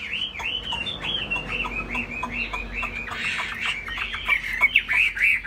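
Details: Laughingthrush singing high while flapping its tail, a bird with a large fig-leaf-shaped tail: a fast run of looping whistled notes, rising and falling, about three per second, bursting into brighter, busier phrases in the second half.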